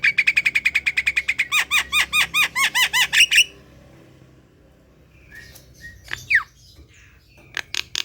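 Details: Javan pied starling (jalak kebo) kept at home, played to draw out its song: a fast run of harsh buzzy notes, then repeated looping downward-curved whistles about three per second, followed by scattered squeaky calls and a sharp swooping note.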